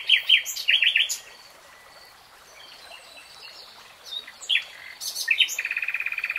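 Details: Nightingale song of loud mixed chirps and quick repeated notes, a quieter passage of faint scattered notes, then a fast steady trill of rapid pulses, with a continuous rushing sound behind.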